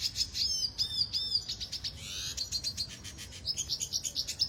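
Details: Training song of a red siskin from Venezuela, opening with looping whistled phrases repeated three times, then a rising sweep and a fast, high chatter of clipped notes.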